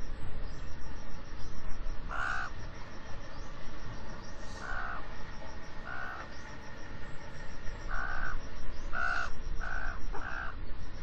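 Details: A Common Raven in France gives about seven short, fairly high, hollow knocking calls at uneven intervals, some in quick pairs, over steady hiss. These are one of its varied higher-pitched calls, not its usual croak.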